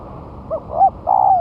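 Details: Spotted dove used as a lure after a month of moulting, set down on the ground: one soft cooing phrase of two brief hoots followed by a drawn-out, gently falling coo, with low background hum.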